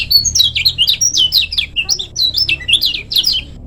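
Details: Lemon-bellied white-eye from Lombok, a master recording for training birds, pouring out a fast, busy twittering song of high sliding chirps and trills, delivered continuously in quick bursts.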